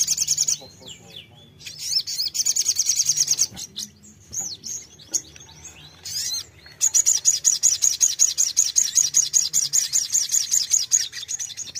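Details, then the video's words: Sogon bulbul, used to provoke a fighter bird to answer, gives slurred whistles and short chip runs, then a long steady series of loud, high chips repeated about three per second. "terapi mental sogon fighter pasti nyaut"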